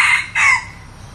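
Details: Tail end of a decoy red junglefowl's crow, the bird a new one used for luring wild junglefowl; a harsh note breaks off, then a final drawn-out note slides downward and fades into low hum.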